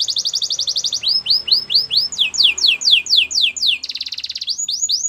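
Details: Canary song from a white bird: quick high trilled tour shifting into slower upward-sweeping whistled notes repeated about four times a second, then a fast buzzy roll and more sweeping notes, with faint background murmur.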